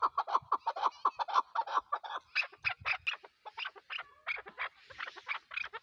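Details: Chukar partridge, Pakistan's national bird, giving quick clucking notes that shift midway into higher, harsher, more excited chatter, closely spaced.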